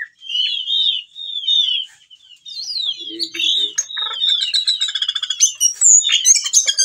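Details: Whistling thrush in breeding condition, singing vigorously and calling for females, showing off its learned song repertoire; slurred whistled phrases around the same pitch, then denser, quicker mixed notes and sharp chips toward the end.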